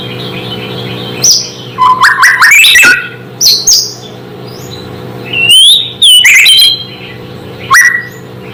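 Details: Natural white-rumped shama song used to provoke rival shamas: scattered phrases of slurred whistles and chattering notes separated by quiet gaps of one to two seconds, with a steady electrical hum in the background.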